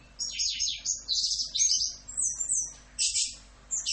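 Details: Orange-headed thrush masteran recording in full 'Rock'n Roll' style: a dense run of very high, harsh chattering and buzzy notes in bursts, with a steady low hum underneath.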